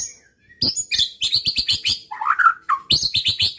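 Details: White-rumped shama singing to goad rival birds: sharp, clicking high notes repeated several times per second, a warbled lower phrase in the middle, with loud percussive knocks alongside.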